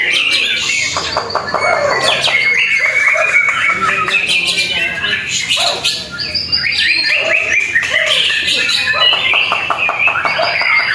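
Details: Competition singing by a white-rumped shama in Indonesia, newly out of moult and performing for the first time; fast strings of clear whistled notes, chattering rattles and rising phrases, with other birds and spectators audible behind.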